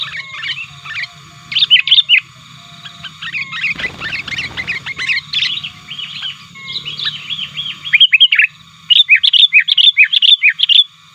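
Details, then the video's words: Sooty-headed bulbul lure call to challenge rivals: rambling bubbly chatter, a brief burst of broad noise partway through, then a lively run of rapid repeated phrases over a low hum. "Pikat Burung Kutilang 100% Asli Gacornya Aktif Menekan Lawan"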